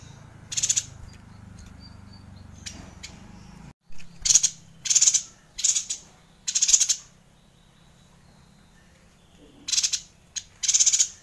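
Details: Yuhina song for training a White-rumped Shama: a few scattered high notes, then a run of about six quick, piercing chattering bursts, a pause, and three more high twitters.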